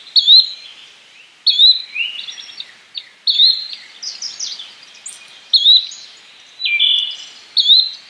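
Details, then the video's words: Steady series of bright, short rising calls from a yellow-bellied flycatcher, about six in eight seconds, interleaved with lower sliding notes and busy chatter from other birds. "Yellow bellied Flycatcher Bird Sound, Birds Call"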